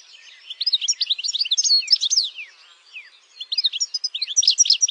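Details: Campero European goldfinch song: quick liquid twitters and chirps in a dense run, a short pause, then another burst of bright tinkling notes.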